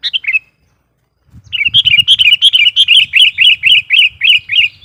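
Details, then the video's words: Gacor lure sooty-headed bulbul singing to provoke wild bulbuls: a short falling phrase, then a long continuous run of rapid, bubbly warbled notes. A low rumbling handling noise sounds underneath. "suara burung KUTILANG GACOR GARUDA bikin emosi kutilang liar"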